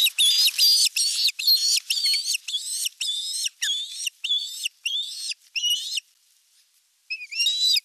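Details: Osprey calling at nest #1 in Western Finland on 19 July 2022 as the male delivers a big fish: a rapid, continuous run of shrill, slurred whistles, each rising and bending, pausing briefly near the end before resuming.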